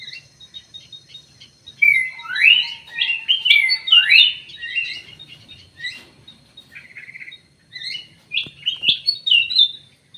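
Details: Common green magpie in an aviary, ringed, pouring out a dense series of swooping whistles and chirps, several upslurred notes in quick succession, then a pause and a second burst of chattering phrases.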